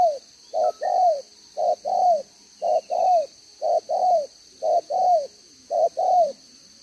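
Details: A decoy spotted dove, two-row collar, singing 'đồng gáy 1 hậu' on 11/6/2023: a brisk regular series of about eight phrases, each a short coo followed by an arched, falling coo.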